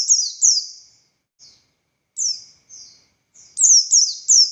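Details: Buxtoni Oriental white-eye giving scattered high downslurred whistles and a few faint soft notes, ending in three loud, rapid falling whistles.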